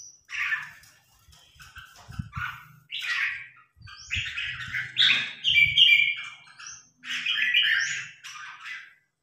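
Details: Newly acquired red-whiskered bulbul pitted against a top provincial bulbul in training; a steady series of bright, chattering warbled phrases with rising whistled flourishes, over faint low rustling and thuds.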